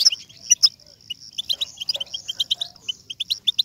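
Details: European goldfinch twitter for stimulating a goldfinch to sing: loud sharp notes at the start, then a rapid, even series of bright chirps running on over a high sustained tone.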